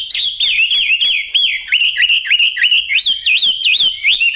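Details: Yellow-billed, yellow-legged Chinese hwamei repeating loud looping whistled notes, each a quick up-and-down slur, roughly three per second in a steady rolling series.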